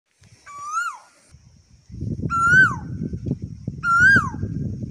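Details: Asian koel singing in a rural field in India: three clear, whistled notes, each rising then dropping away, repeated about every 1.7 seconds over a steady low rumbling background.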